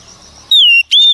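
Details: After faint hum, a wild-caught female Oriental magpie-robin singing to rouse males gives two loud clear whistles, the first long and gently falling, the second shorter and level.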